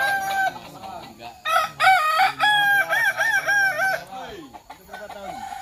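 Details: Kukuak Balenggek rooster crowing at a joint contest in Sawah Lunto; a long chain of stepped, pulsing notes lasting over two seconds, trailing off, other roosters faintly behind.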